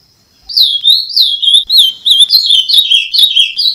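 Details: Azulão, the Ultramarine Grosbeak, singing on playback: a loud, fast warble of slurred, bouncing whistled notes delivered in a steady stream of about four per second, clean and without background noise.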